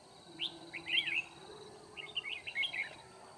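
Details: Red-whiskered bulbul decoy singing to challenge rivals while trapping on 9 February 2019; two phrases of quick warbled whistles, somewhat muffled, with a man's voice speaking faintly around them.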